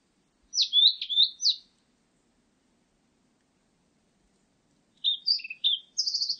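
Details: Two separate song phrases from a blue-and-white flycatcher, divided by about three seconds of silence. Each phrase is a rapid, jumbled mix of high whistles and chips, and the second ends in a quick rattling trill.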